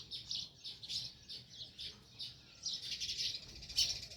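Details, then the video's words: Sparrows chirping near a nest in a village; steady, rapid high chirps, several per second, growing into a denser chattering stretch toward the end. "Natural Sparrow View | Chirping Sounds"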